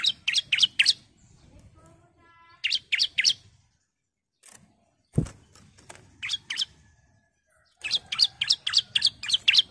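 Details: Female bar-winged prinia calling to attract the male: short bursts of quick, sharp repeated notes with pauses between, one loud click midway.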